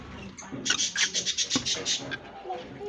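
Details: Lovebirds in a colony breeding setup in an aviary, giving dense, shrill, high chirping from many birds at once: rapid overlapping chatter without pause, with faint background music.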